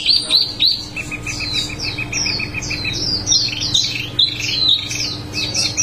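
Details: Small minivet in lively 'ngerol' song, a rapid even trill of thin, high notes running under repeated swooping, wavering whistles that rise and fall, continuous throughout, over a low background hum.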